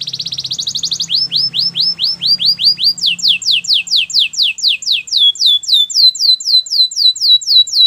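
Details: Belgian canary singing for training: a quick rattling trill gives way to long series of steady, downward-sweeping whistled notes repeated about four per second, faint low hum early on.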